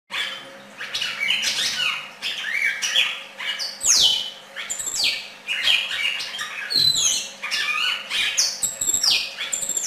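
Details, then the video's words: Red-crested cardinal singing: a loud, continuous run of varied phrases, with sharp downslurred whistles, buzzy notes and rapid chirps crowding the upper range, and short pauses between bursts; indoors, with a faint steady hum beneath. "cardenal cantando copete rojo"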